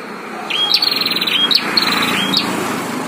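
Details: Fighting prinias, one caged and one wild, give a run of sharp high whistles followed by fast pulsing rattles, repeated three or four times within a few seconds.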